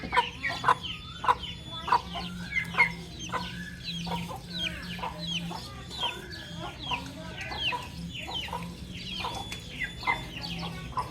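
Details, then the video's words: A crowd of baby chicks chirping busily, rapid high peeps sliding downward and overlapping, punctuated by sharp tapping clicks and a low steady hum. "Soft Baby Chick Chirping Sounds"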